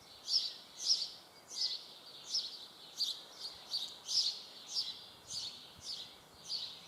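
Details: Young common kestrel begging with a run of hoarse, wheezy squeals, about one and a half per second, fairly even in spacing, against a low steady hiss.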